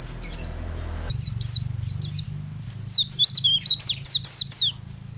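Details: Master recording of a lively white-eye for songbird training: after a brief low hum, high, falling chirps come quickly and then break into a tumbling twitter of short zigzag notes over faint low background noise.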